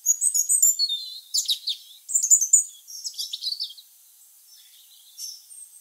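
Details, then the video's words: Tame European robin singing from a garden tree in November 2020, recorded on a camera's built-in microphone; rapid high twittering and sliding whistled phrases in bursts, fading to soft thin notes after a pause. "Robin Singing in the Tree"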